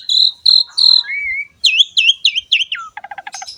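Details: Asian pied starling singing for training young birds: three flat whistled notes, a rising slur, then a series of looping whistles and a quick low rattle.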